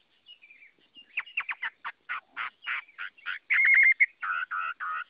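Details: Chinese hwamei (Garrulax canorus) song: soft opening notes, then accelerating series of sharp buzzy notes and a loud steady whistled note, ending in harsh repeated syllables.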